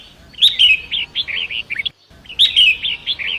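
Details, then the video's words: Wild Long-tailed Shrike, forest river setting, a training song for other songbirds: a harsh accented note then a run of rising and falling warbled chirps, a short silence, then the phrase starts again. "Masteran Pentet Hutan"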